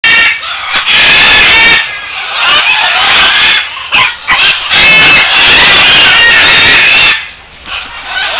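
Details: Captive Great green macaws on the ground at a breeding-for-release project in San Jose, Costa Rica, on 31 December 2010, give loud, raspy, harsh squawks almost without pause, with brief breaks between bursts.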